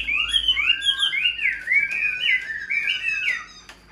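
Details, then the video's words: Chinese hwamei, a hand-tamed cage bird, pouring out a smooth chain of rich whistles, each note gliding upward then dropping, linked into one flowing phrase lasting over three seconds. "Chim thuần sách tay hót, đấu tốt - Hoạt Họa Mi"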